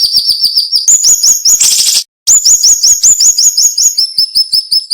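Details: Cinnamon-bellied flowerpecker, locally siri-siri, singing sharply and densely: continuous quick series of thin, high upslurred chirps, one loud rasping burst, a brief silence, then long even trains of high ticking notes.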